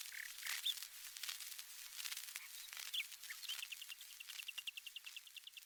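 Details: A 1913 Victor Talking Machine disc recording of a common nightingale song: a few sharp whistles, then a rapid run of about eight repeated high notes per second, under heavy crackle and hiss.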